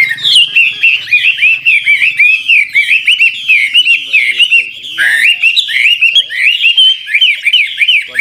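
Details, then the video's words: Old wild Chinese hwamei sings continuously changing, trilled phrases meant to stimulate young birds into song; dense, bright whistled notes in fast repeated series, with a brief lower slurred note in the middle. "Tiếng chim họa mi mồi già rừng hót luyến láy đảo giọng liên tục, giúp kích chim bổi nhanh hót"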